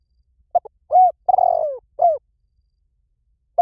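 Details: Spotted dove calling to lure wild doves: one phrase of two short soft notes, a rounded mid-pitched coo, then a long throaty coo sliding downward, and a final falling coo, all in quiet, clean surroundings.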